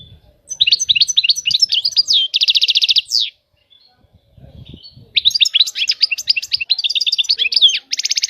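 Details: European goldfinch song in the batbata style: fast, high twittering notes, then an even buzzy trill, a pause of about two seconds, and another tinkling twittered phrase ending in a short trill. Faint low thumps underneath.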